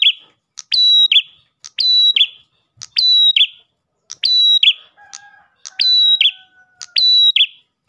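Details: Ash tailorbird song played to draw other tailorbirds: rhythmic phrases of a tick, a prolonged high whistle and a falling buzzy end, with a faint lower flat whistle late in the clip.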